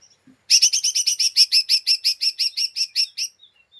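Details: An excitable lesser green leafbird, ngeriwik style chatter meant to provoke rival birds: a steady rapid string of about eighteen harsh, buzzy chips over nearly three seconds, with faint thin notes before and after.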